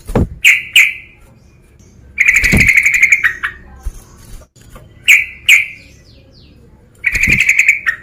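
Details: Sooty-headed bulbul male calling to challenge a rival, giving quick harsh chip pairs alternating with longer rattling bursts of rapid notes, repeated several times against a quiet background.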